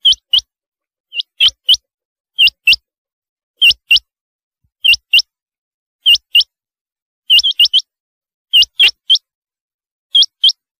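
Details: Rain quail steadily repeating paired high hooked whistle notes, roughly one pair each second or so, with one quick run of four notes midway; background silent.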